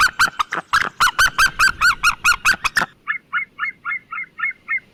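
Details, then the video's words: White-tailed eagle yelping: loud, harsh notes in a rapid series for three seconds, followed by a quieter, softer run of similar yelps at the same pace. "Sea white tailed eagle sound effect and call!"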